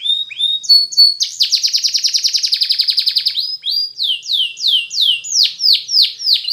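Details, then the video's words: Spanish Timbrado canary song for training canaries: short rising whistles, a long rapid rattling trill, then slow repeated falling swoops about one per half second. "The Best Canary Sound !! Training Canaries To Diligent In Singing"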